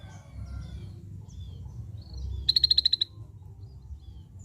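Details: Scaly-breasted bulbul voicing one fast burst of roughly eight crisp high clicking notes in about half a second, set against a low steady rumble with a few faint distant chirps.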